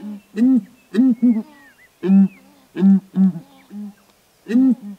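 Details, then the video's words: Southern ground hornbills perched on a branch in Kruger National Park, calling in duet: deep booming hoots in short paired and triple bursts, repeated about every second, with faint thin whistles from other birds in the background. "Intriguing Sounds: Southern Ground Hornbill's Song"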